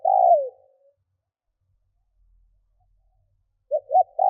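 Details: Decoy spotted dove cooing to draw wild birds. The tail of a long falling coo is followed by quiet, then the two short notes that open another phrase, cut off at the end.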